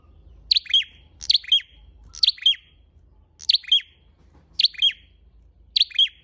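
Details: Lure call of a red-headed flowerpecker: six high, thin chirp pairs in steady succession, each a sharp tick followed by a falling buzzy note, roughly one per second, background near silent.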